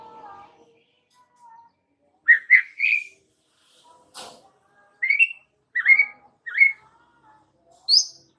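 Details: White-rumped shama used as a lure for young wild shamas: spaced, clear upslurred whistles in small groups of two or three, with a sharp click midway and faint low tones at the start.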